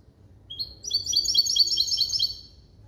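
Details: Caged hybrid of a male European goldfinch and a female canary, trained in limpio-style goldfinch song, delivers a quick run of high, bright twittering notes lasting about two seconds over a quiet low hum.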